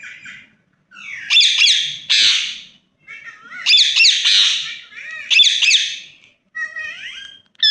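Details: Pet ringneck parrot giving loud, shrill squawks in three main bursts, each a cluster of sharp rising-and-falling screeches, with softer chattering notes between and near the end, in a quiet room.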